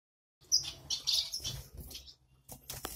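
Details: Double-barred (owl) finch chicks, just out of the nest, give a burst of high, thin, buzzy chirps for about a second and a half, followed by soft rustling and scratching.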